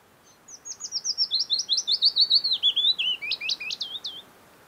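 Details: Norwegian early-summer Willow Warbler, wild, Geilo area in Buskerud County, late June or early July: one descending run of soft whistled notes, quiet at first, strongest midway, finishing in a few rising, emphatic notes, against a quiet background.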